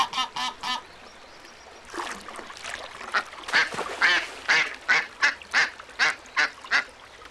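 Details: Nasal duck calls at a pond: a short triple burst, a pause, then a long series of regular rasping quacks about three per second.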